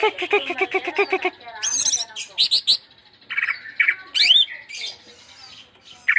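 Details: Greater green leafbird giving a varied, broken song: a second of harsh, stacked chattering notes, then scattered sharp chirps, high squeaks and a quick rising whistle, separated by short pauses, with a low steady hum underneath.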